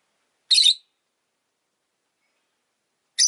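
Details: A single Rosy-faced lovebird chirp, loud, harsh and buzzy, lasting about a third of a second, then silence until another chirp begins at the end.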